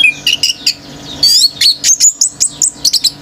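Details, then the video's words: Orange-headed thrush male singing nonstop in an excited state, stirring other birds: a quick run of sharp whistled chirps and sweeping high notes, about fifteen in three seconds, over a faint low hum. "ANIS MERAH GACOR TELER‼️BURUNG LAIN IKUT NGAMUK‼️"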